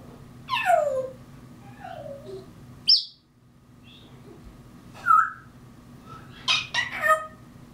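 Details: Caged African grey parrot imitating mockingbird calls: sliding downward whistles, a harsh burst, then bright chirps and squeaky notes in irregular bursts against a steady low indoor hum.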